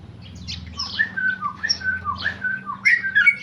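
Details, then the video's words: Tame male sooty-headed bulbul, a kept contest bird, singing in rapid-fire style: slurred whistled notes dropping and levelling off, interspersed with harsher buzzy bursts, moderately loud with low hum underneath. "Trucuk jinak ropel"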